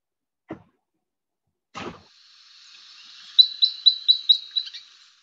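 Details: Red Crossbill Type 10 flight calls: about seven thin, high, upward-only sweeping notes in a quick run of under two seconds, after two dull knocks.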